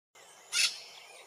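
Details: In French Guiana tropical rainforest, a brown-throated parakeet (Eupsittula pertinax surinama) gives a single harsh, grating screech lasting about a quarter second, over a steady background hiss.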